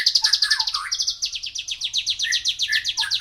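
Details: Javan bush lark song: fast runs of sharp, high chirping notes repeated about four per second, with lower slurred whistles woven in between and a steady low hum underneath.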